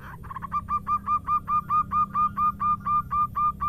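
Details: Female local zebra dove calling the male: a steady series of about sixteen short, clipped coo notes on one pitch, roughly three per second, over a low constant background hum.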